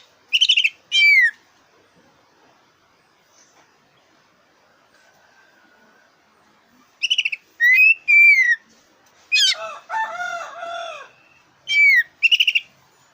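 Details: Song of a black-breasted oriental magpie-robin, used as a lure to stimulate contest birds: bursts of sweet downslurred whistles and fast stuttered trills, a long silent gap, then a lower harsh rasping phrase among the whistles.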